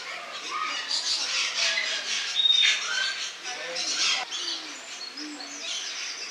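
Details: Lorikeets filmed in August 2015 in Cornwall give harsh, high screeching and chattering calls in a continuous noisy jumble, with several birds calling over one another.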